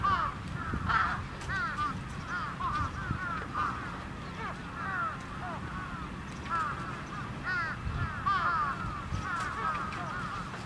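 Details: Crows held in a trap give a constant chorus of brief, arching caws, irregular and overlapping, roughly seventy a minute, over a low rumbling background.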